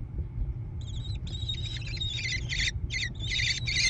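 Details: American kestrel chicks in a gravel-floored nest box on the side of a barn near Prairie du Chien, Wisconsin, USA, 14 June 2022. Rapid harsh, squealing notes in uneven bursts start after a second and grow denser over a loud low rumble.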